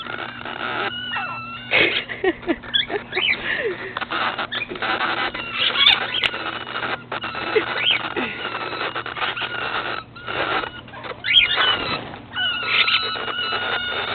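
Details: Several cockatiels in an aviary chirp and whistle together, with overlapping bright, rising and falling calls.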